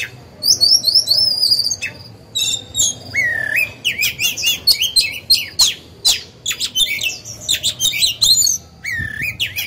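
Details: Oriental magpie-robin, a caged lure bird used to provoke other birds into singing and train young birds, delivering a rich, varied song of whistled phrases, rising slurred notes, sharp chirps and rapid trills in quick succession, almost continuous.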